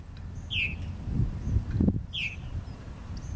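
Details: One of two Purple martins at Charles E. Price Memorial Park, Middletown, Delaware, on 28 July 2013, gives two clear, downslurred chirps about two seconds apart, over a steady low rumble of wind and a soft thump.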